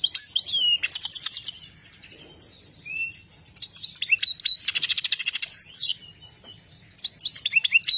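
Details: Caged European goldfinch of the Saira joker type singing: high twittering phrases, rapid buzzy trills and clear whistled notes, broken by short pauses; no other sounds.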